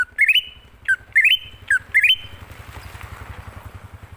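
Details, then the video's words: Greater green leafbird, forest-style lure song. Four stepped, rising whistled phrases, each after a short low note, come in quick succession before a passing engine's rumble and hiss take over. "Pancingan Burung Cucak Ijo Ngalas Di Jamin Langsung Nyaut"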